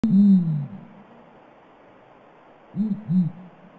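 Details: Blakiston's fish owl giving deep, low hoots: one longer, slightly falling hoot, then a pause and two short, arched hoots close together near the end.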